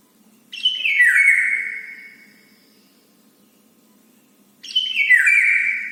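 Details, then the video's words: Bird begging for its breakfast food each morning, giving two long downward-sliding calls about four seconds apart, each bright and strong and tailing off gradually, with a quiet pause between them. "bird ask food for breakfast daily morning"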